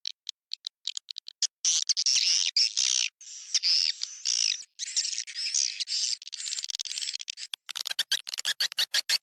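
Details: Lure sound for attracting swiftlets, SP Sanro type: scattered high chirps build into long, harsh, buzzy twittering phrases, then break into quick, clipped chip notes toward the end.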